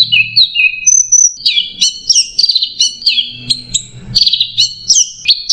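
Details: Dense "macet jernih" masteran song from an orange-headed thrush: quick slurred whistles and a high pure note, then rapid stacked chattering phrases repeated in close succession at mid to high pitch.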